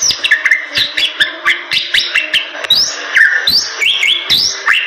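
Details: A Bali myna in full song gives a busy run of rising whistles, upward-sweeping notes and short harsh clicks, followed by brighter whistled phrases that climb steeply.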